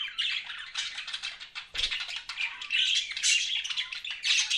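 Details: Dense warbling chatter of pet budgies, an unbroken run of buzzy, scratchy notes and squeaks with a single low bump near the middle.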